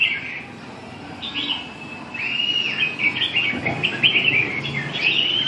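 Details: Afternoon recording from 7 June 2012 of a red-whiskered bulbul: a long, continuous string of chattering, whistled warbles that grows louder partway through and keeps a steady, rapid flow.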